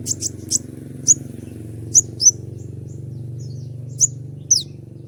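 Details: Konin in moult, shedding its feathers, giving a 'tembakan' (shot) style song used as a master recording for training birds: about eight short, sharp, very high chirps at irregular intervals over a steady low mechanical hum.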